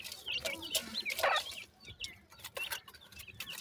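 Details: Feeding francolin chicks give high twittering peeps over a hissing, scratchy background, with a short busy cluster of notes and repeated clicks from pecking.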